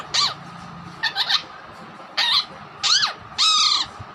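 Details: Pet Alexandrine parakeet imitating a hen, whistling and saying its word: five harsh, harmonic squawking notes, several with a rising-then-falling inflection, spaced unevenly about half a second to a second apart in a small room.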